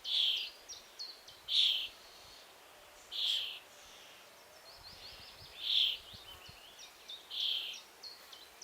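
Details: Young common starling at its nest hole, waiting to be fed by its parents: loud, harsh, rasping bursts repeated about every one and a half to two seconds, with thin, high, falling chirps in between.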